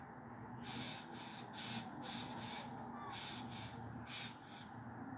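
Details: Eurasian jay calling from a fir tree in Meschede, Germany, on 22 September 2022; harsh, rasping broadband bursts come in quick succession, about eight in five seconds, over a steady low background hum.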